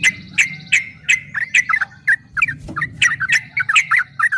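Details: Fast 'ropel' song of a yellow-vented bulbul for training kept birds: evenly spaced bubbly notes about three times a second over a low background hum, with a soft knock midway.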